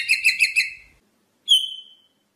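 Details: Rosella singing: four quick bright notes with ringing overtones, then a pause and one long clear whistle that slowly glides downward.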